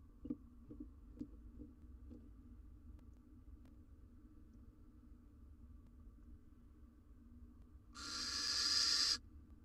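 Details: Wild barn owls in a nest box as a male delivers a rodent to the female and chick: quiet scratching and faint knocks, then one loud harsh hissing screech lasting about a second.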